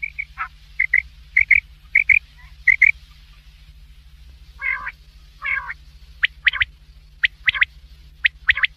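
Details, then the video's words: Black francolin giving a series of short, ringing double notes, then two rasping, grating bursts, followed by quick sharp high clicks in pairs and triplets over a constant low hum. "Big Quail Sound"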